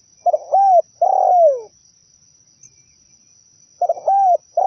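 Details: Zebra dove song used as a trapping lure: a phrase of stuttering notes, a ringing coo and a long downward-sliding coo, then a pause of two seconds before the next phrase starts. A steady faint high whine is audible throughout.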